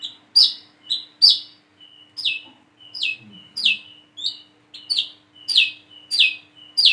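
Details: Plain-throated sunbird practising its call while it learns to sing: a run of piercing downslurred notes with short thin whistles between them, about one and a half per second, some weaker notes in the middle.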